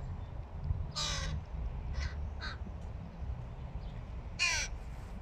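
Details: Hooded crow fledgling attempting to feed by itself: a long hoarse caw, then two short rasps, a pause, and another drawn-out grating caw, with steady low background hum.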